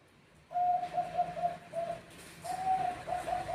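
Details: Zebra doves (Bangkok type) calling back and forth to one another: low, rolling coos made of short trilled segments at a steady mid pitch, a pause, then another run of coos that sounds like an answer.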